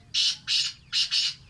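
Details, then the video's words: Sindhi black francolin delivering four loud, hoarse grating notes in quick succession within just over a second, the final pair run close together. "Sindi kala boli bahtarin awaz"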